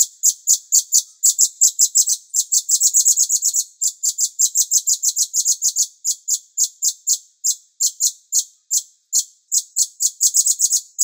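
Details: Cucak cungkok bulbul master song for training songbirds: rapid, sharp high chirps repeated several times per second in long dense runs with only brief gaps.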